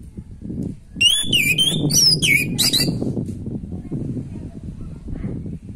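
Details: Natural song of an orange-headed thrush, intended to trigger breeding drive in a quiet bird: a quick burst of high, twisting whistled notes and squeaky trills for about two seconds, with steady low rumble underneath.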